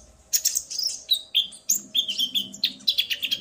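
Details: Roused male common iora answering a female's call; a string of clear, piercing whistled notes and sharp chips in steady succession after a quiet start.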